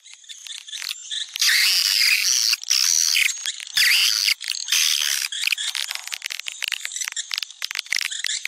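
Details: Swiftlet calling sound used to attract swiftlets, popular in Sumatra: dense, high rasping chatter and rapid clicking trills, with louder bursts of overlapping buzzy twittering between quieter ticking passages.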